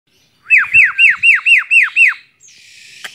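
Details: Tame Javan myna (jalak kebo) singing while perched on a person's hand, giving a run of seven loud, evenly spaced downslurred whistles, about four per second, then a brief hiss of noise.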